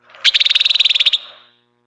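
A small bird gives a quick, high trill of about fifteen evenly spaced notes, lasting under a second.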